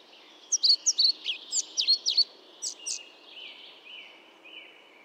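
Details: Pied flycatcher (Ficedula hypoleuca) with a quick run of sharp, high chirps, followed by two spaced notes and then softer drawn-out tones fading away.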